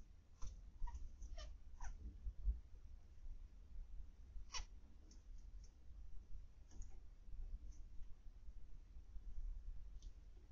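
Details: A few brief nasal beeping calls from zebra finches in an indoor aviary, 21 October 2020 (PM), clustered near the start and again midway, with soft clicks and a low room hum between.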